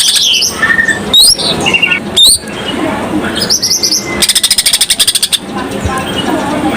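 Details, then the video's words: Greater green leafbird delivering 'isenan' lure song for other birds: assorted short whistles and trills, then a quick rhythmic rattle of about a dozen pulses, then quieter chatter. "cucak ijo gacor full isenan cocok pancingan burung"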